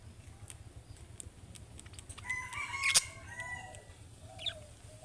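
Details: Budgerigar giving young birds' calling-style song, meant to make other budgerigars answer: soft clicks, then a burst of overlapping chirps and a whistled note around the middle, with a low hum throughout.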